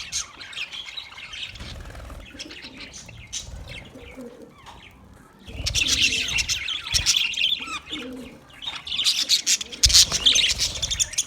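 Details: Budgies twitter quietly at first with scattered thin chirps, then the group erupts into loud, dense, squeaky chatter for the second half.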